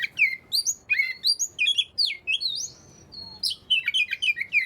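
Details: Oriental magpie-robin singing, used to prompt lazy magpie-robins to sing: rapid run of loud, varied whistled notes, sweeping up and down, with a brief held pure tone near the end and a quiet background.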